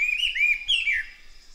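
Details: Brief slurred whistling from a chestnut-eared laughingthrush, two fluid phrases falling away at the end, with faint low thumps underneath.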